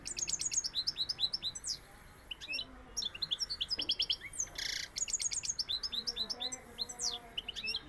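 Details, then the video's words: European goldfinch of the Sevillian song style, a rapid twittering run of high chirps, trills and liquid notes in bursts with short pauses, plus a few brief buzzy wheezes. "Jilguero sevillano"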